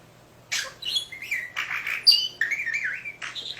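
A budgerigar chatters in quick electronic-sounding chirps, squeaks and warbles, imitating a robot's beeps.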